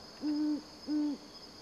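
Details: Male great horned owl in Everglades National Park calling to his mate in her nearby nest: two deep, even, soft-edged hoots about half a second apart, steady in pitch, over a faint hiss.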